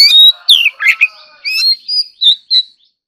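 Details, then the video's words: Oriental magpie-robin singing in competition, a rapid run of loud clear whistles and slurred notes, several sweeping down, in short bursts over about three seconds. "choè than kích hót || choè than hót đấu"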